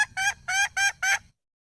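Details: A red junglefowl hen, wild, utters five loud, evenly spaced, nasal clucks in quick succession, each brief and richly harmonic, then falls silent.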